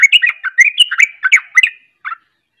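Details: Sooty-headed bulbul singing a ropel-style run: a fast string of bright, slurred whistled notes rising and falling, about a dozen in under two seconds. A short pause follows, then a final soft double note.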